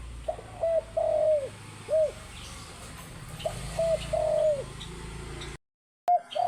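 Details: Spotted dove calling actively in the morning: phrases of soft, mellow coos, short notes followed by a longer drawn-out, slightly falling coo, repeated twice, then a brief silence and one more coo.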